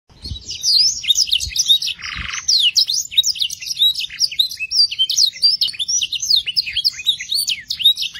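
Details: Canary song played to rouse young canaries into breeding mood and quick, full singing: dense high whistled sweeps and rapid chirps, with one short buzzy burst near the two-second mark and a few low thumps.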